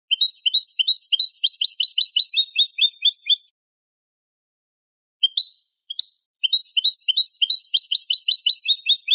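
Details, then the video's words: Eurasian goldfinch tutor song in Málaga style for goldfinch chicks and hybrids: long, rapid, bright twittering runs with buzzy trilled notes, a gap with two lone chirps, then another fast chattering phrase. "شريط كوبية ملقا (Manolo) original لتلقين فراخ الحسون والهجين"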